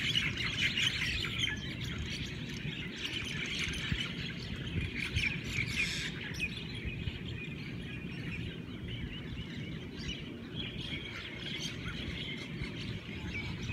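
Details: Hawaiian birds greeting the morning with an energetic chorus: quick repeated chirps and trills from many birds, loudest early on, over a soft low background rumble.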